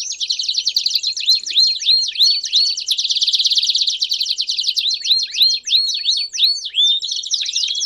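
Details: Belgian canaries singing in a group. Repeated hooked, whistled notes alternate with a very rapid buzzy roll, and the phrases swell and fade in quick bursts.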